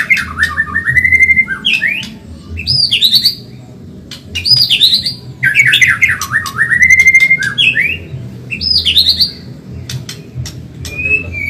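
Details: Medan white-rumped shama singing fast and continuously in a training recording for caged birds: repeated loud phrases of rising whistles and sharp upward sweeps, separated by short pauses and clicks, over a low steady drone.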